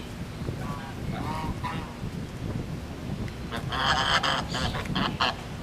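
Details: Geese at a resort honking: a few soft nasal calls early, then a loud burst of harsh overlapping honks near the end, over steady low background rumble.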